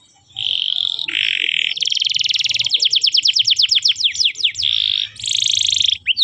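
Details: Young canary song played as training material: a continuous run of buzzy trills and rapid repeated notes, shifting between sections of dense buzzing and quick descending sweeps, with a low hum beneath.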